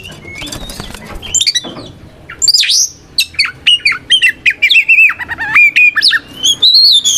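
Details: White-rumped shama (kacer) fighting song used as a lure to make other shamas respond and spread their tails: dense series of high whistled and buzzy notes, sweeping slurs and quick chips delivered almost continuously.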